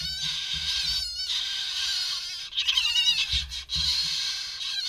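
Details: Two hand-reared chough chicks getting a mid-morning snack give harsh, rasping, high wavering calls almost without pause, with a brief low human murmur.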